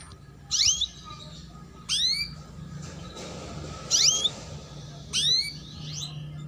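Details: Female canary 'cuit cuit' calls, meant to draw young canaries into song and raise breeding drive: loud, sharp, down-swept chirps in pairs, repeated about every one and a half seconds, with quiet gaps between.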